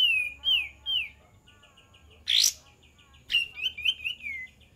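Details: Olive-winged bulbul song used to lure birds: looping whistled slurs, a harsh rasping burst, then a chattering run of quick, wavering whistles.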